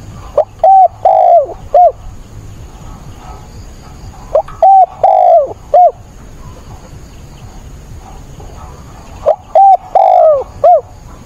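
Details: Spotted dove kept as a decoy, cooing vigorously during a rainstorm on 28 October. Three repeated phrases about four seconds apart, each a quick note, a drawn-out falling coo and a short final hoot, against a background of rain hiss.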